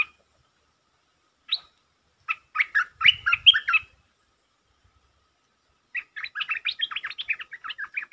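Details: Stripe-throated bulbul, a resident bird provoked into territorial singing, gives short bursts of chattering, bubbly notes, then a longer run of quick jumbled phrases near the end after a pause of silence.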